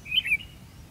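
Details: Red-whiskered bulbul recorded during a fighting-decoy trapping session on 13 February 2016; one short, loud whistled phrase of two connected notes, warbling up and down, over low background rumble.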